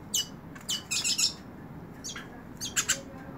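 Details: A hooded siskin sings while held in the hand, in short bursts of high, scratchy, twittering notes with brief pauses between phrases, over a faint low indoor hum.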